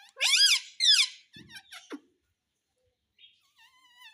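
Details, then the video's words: Talking parrot saying "mummy papa": two loud, rich harmonic syllables that arch upward then fall, a few brief clicks and a short low sound, then quiet faint whistles. "Parrot Speaking Mummy Papa _ Talking Parrot _ Parrot Mummy Mummy Bolne Vala"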